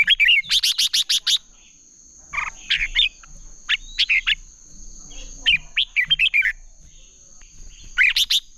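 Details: Competitive singing of red-whiskered bulbuls, a lure recording for training birds: quick ticking bursts open and close the clip, with clipped whistled and warbling phrases between them, and a steady high whine behind.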